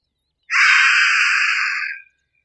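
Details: A single loud, hoarse, buzzy scream from a Harris's hawk, roughly one and a half seconds long, evenly harsh throughout and trailing off at the close; nothing else audible.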